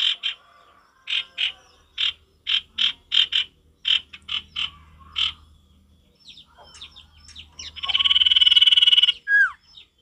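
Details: Energetic male sirtu with natural forest sound: a long run of repeated harsh buzzy notes, then scattered thin chirps and a sustained grating churr lasting over a second, ending in a falling slur.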